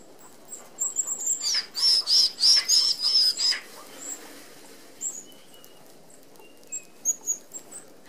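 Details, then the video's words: Red-browed finches, an Australian native, feeding as a flock at an open aviary feeder whose 25 mm mesh keeps out sparrows: thin, very high whistled notes, a brief run of clustered calls mid-clip, amid soft wing whirring. "Red Browed Finches"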